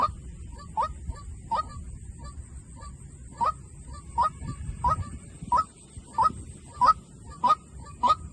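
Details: White-breasted waterhen decoy calling: a long run of about twelve short, nasal, rising honks, about 0.65 seconds apart, after a brief irregular start, with low-pitched background noise.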